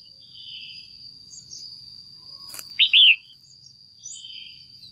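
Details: A caged female red-whiskered bulbul gives its pairing call to stimulate a male: a single sharp, arched double chirp, preceded by a faint click and soft distant twittering, with a continuous high whine.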